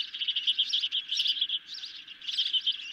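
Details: Hungry ospreys at their nest on a July 2021 evening, a medium-sized fish delivered: rapid, high piping chirps strung into quick trills, pausing briefly in the middle, over a faint hiss.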